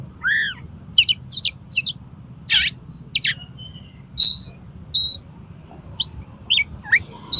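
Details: Oriental magpie-robin in konslet-style song, meant to provoke another magpie-robin into opening its tail: spaced bursts of sharp chirps, quick downward sweeps and short whistles over a faint low hum.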